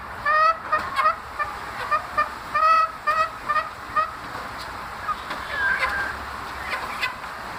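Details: Caged chicks making strange sounds: nasal, honking calls with a rising then falling tone, given in quick series about twice a second, quieter toward the end, over a steady background hiss.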